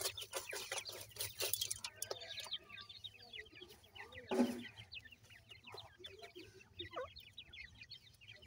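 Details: Grey francolin chicks giving many quick high chirping peeps. The chirps come in busy overlapping bursts after loud broadband rustling and knocking at the start and one sharp thump midway.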